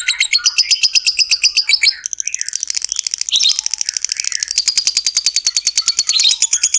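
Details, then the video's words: Long ngekek chattering trill of a lovebird, used as a lure to get fighter lovebirds singing. Shrill, high notes pour out in a fast, continuous rattle. They break briefly near two seconds, then resume just as rapidly to the end. "SUARA BURUNG LOVEBIRD NGEKEK PANJANG"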